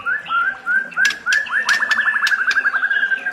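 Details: White-rumped shama song in a training recording: short whistles with sharp ticks, then a fast, steady trill of repeated whistled notes, roughly eight per second.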